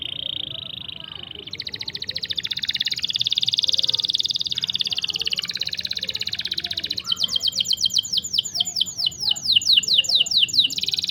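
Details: Long canary roll used for tutoring and prompting canaries that have stopped singing or are young: a short whistle, a buzzy sustained trill of about five seconds, then a quickening series of descending whistled sweeps.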